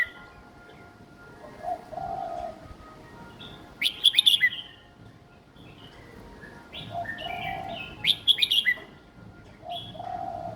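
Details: Young caged red-whiskered bulbul singing a simple song style suited for other young birds to copy: two bursts of bright, quick whistled notes about four seconds apart, with lower drawn-out notes between and faint background hum.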